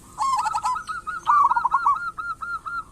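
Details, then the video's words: Local zebra dove, perkutut, calling as a lure; a single long rolling coo of quick repeated notes, fading toward the end. "Perkutut lokal gacor pancingan perkutut super ampuh agar bunyi cepat gacor"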